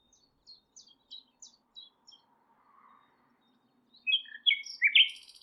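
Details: Nightingale singing at Thurrock Thameside Nature Park, Panasonic GH6 recording: evenly spaced sharp high notes, a soft low murmur, then a sudden loud tumbling phrase of varied whistles ending in a buzzy high flourish.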